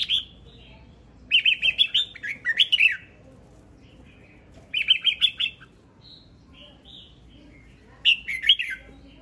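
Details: Male red-whiskered bulbul singing: loud bursts of rapid, warbling, whistled notes with sharp clicking accents, phrases about a second long separated by short pauses, repeated three times over a quiet background.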